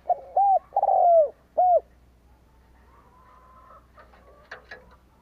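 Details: Spotted dove decoy cooing to lure wild doves: one phrase of a short note, a rising-falling coo, a long drawn descending coo and a final short coo, followed by faint wavering tones and soft clicks.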